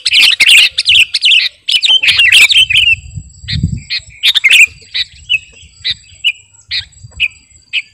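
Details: Sooty-headed bulbul, kutilang garuda, master song for luring birds; opens with dense chattering bursts, then spaced single bright chirps repeated about every half second, low background noise midway.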